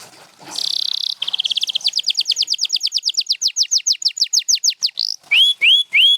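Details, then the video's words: Singing champion canary opens with a short buzzy burst, then a long rapid trill that gradually slows into distinct descending notes, ending with three rising, upward-curving whistled notes. "7 Days to a Singing Canary"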